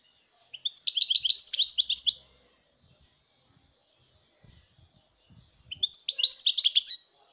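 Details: European goldfinch song, 2019: two phrases of quick, bright twittering and buzzy trills, each about one and a half seconds long, with a quiet gap between them and faint low knocks.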